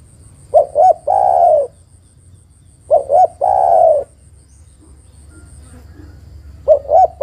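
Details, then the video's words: Lure call of a female spotted dove calling a male: three phrases of two short coos plus one long purring coo, spaced about three seconds apart, with faint background noise between. "tekukur betina memanggil jantan"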